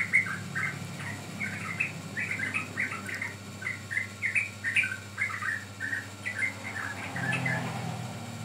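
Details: Sooty-headed bulbul song used as a lure or training recording: bright chirpy phrases of short warbled notes repeated steadily throughout, with low background hum.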